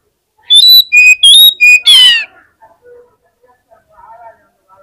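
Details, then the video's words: Fighter Oriental magpie-robin on a contest pole, said to set off other magpie-robins: a series of clear, level, high whistles alternating in pitch, capped by a dense buzzy rattle, then quiet scattered low notes. "SUARA KACER FIGHTER BIKIN CEPAT ON KONSLET KACER LAIN DI GANTANGAN"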